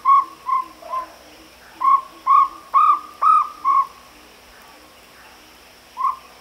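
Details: Series of short, tonal hoots from a jungle owlet: three notes, a brief gap, then five louder ones in quick succession, followed by a pause and a single final note; quiet hum underneath.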